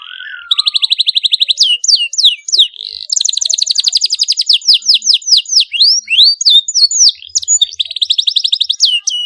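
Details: Singing canary used to provoke other canaries into song: a low wavering note, then long rapid rolling trills of repeated high notes alternating with runs of sharp downward-swept whistles.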